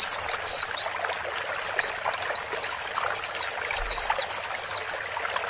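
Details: Male and female white-eye voices used as a lure for a newly bought caged bird; after a short burst, a run of brief, high, slurred chirps repeats roughly twice a second over a faint watery hiss.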